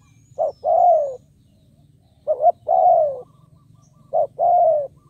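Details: Calling spotted dove kept as a decoy to lure wild birds: three evenly spaced phrases, a short double note then a longer soft downslurred coo, over a constant low hum.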